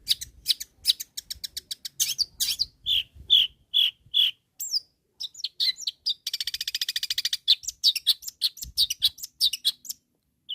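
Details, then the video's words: Energetic long-tailed shrike song aimed at rivals: a long, continuous, varied medley of chirps, clicks and slurred whistles, broken midway by a fast buzzy rattle, then more chattering notes. "SUARA BURUNG CENDET GACOR MEMANGGIL LAWAN"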